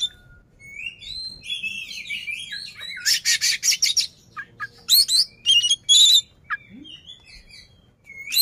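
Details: Oriental magpie-robin singing with its tail fanned to stir up a rival: sweeping whistled phrases, a rapid harsh rattle near three seconds, then sharp loud notes and rising whistles.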